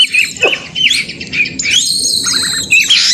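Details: Oriental magpie-robin (kacer) giving provoking fighting song; drawn-out high whistles, a long sustained note, and scratchy bursts, accompanied by a low musical hum.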